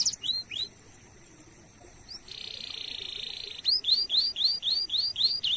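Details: Canary song to stimulate other canaries: a few hooked chirps, a long flat buzzy trill, then a regular burst of curved whistled notes repeated about every half second.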